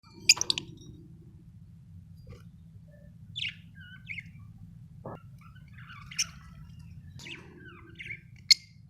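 Lovebirds give sharp, high chirps and short squeaky notes in scattered bursts a second or two apart, over a low steady hum.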